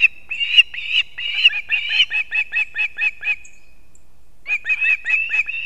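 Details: Osprey at its Kurzeme nest in Latvia, early morning 3 September 2024, as the male delivers two fish to the young: quick piercing whistled chirps, a brief silence, then another chirping run.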